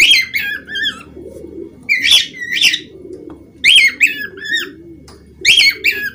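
Budgerigar giving bursts of harsh, warbling chirps and squawks, clustered in groups every couple of seconds, with a low room murmur underneath.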